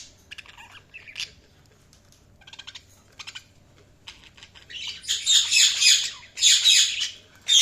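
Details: Budgerigar chirping: scattered short high chirps early, then two loud dense bursts of harsh chattering chirps in the last three seconds.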